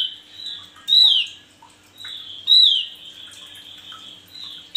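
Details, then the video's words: Male Javan grey-throated white-eye in lively song, suited for tutoring other birds: two loud, bright downslurred whistles roughly one and a half seconds apart, linked by soft, thin, continuous high trilling. "Burung Opior jawa jantan gacor"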